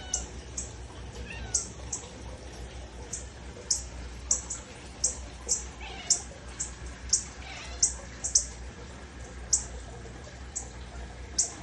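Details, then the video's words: Northern cardinal chirping with a pet cat nearby: a long, steady series of sharp, high, metallic chips, roughly two each second, with a couple of soft, rising cat-like whines mixed in. "chirping cardinal bird"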